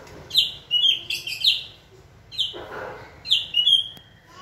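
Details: White-rumped shama trained to sing on its trainer's signal; short bright whistled notes in small clusters, spaced by brief pauses.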